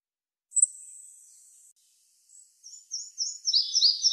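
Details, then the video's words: Red-breasted flycatcher song: a thin, very high drawn-out whistle, then a quickening run of repeated bright notes sliding lower, about four per second. "Голоса птиц: малая мухоловка"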